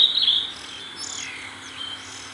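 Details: Oriental magpie-robin at close range while feeding its young: a loud, sharp, high chirping burst at the start, then softer sliding, wavering whistled notes.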